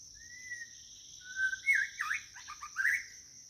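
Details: A white-rumped shama calls for a mate with a clear held whistle, a second lower whistle, then loud swooping slurs and a rapid burst of chirps, set against a steady shrill insect hum.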